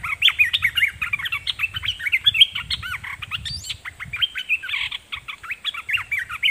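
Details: Red-whiskered bulbul used as a decoy and singing at wild birds: a dense, lively stream of looping, slurred whistles and chirps, continuous and loud throughout, with steady low background rumble.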